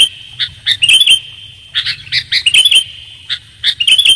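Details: Sooty-headed bulbul calls for luring birds: scattered single chirps and short bubbly, slightly squawky warbles spaced by pauses of about a second, over a constant thin high tone.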